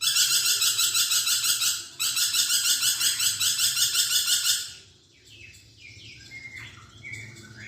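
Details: Vigorous lorikeet song: a harsh, buzzy, rapidly pulsing high chatter sustained for almost five seconds with a brief break, then quieter scattered chirps and whistles.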